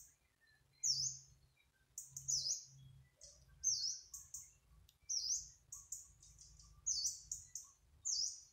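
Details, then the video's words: A Yellow-browed Warbler singing in its natural habitat: very high, thin, sharply falling notes, often run together in quick bursts every second or so, over a faint low rumble. "Bird Yellow-browed Warbler singing"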